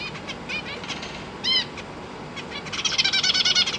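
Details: A pair of captive Zebra finches with three juveniles and three newly fledged babies give short, nasal, stacked calls, scattered at first, then a dense, rapid burst of high chattering near the end, while the parents feed the young.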